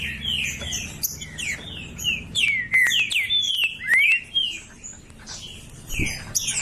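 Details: Loud green-winged saltator song meant to stir a silent bird into singing: rich whistled phrases, some rising and some falling, delivered in quick bursts, with a faint low hum behind.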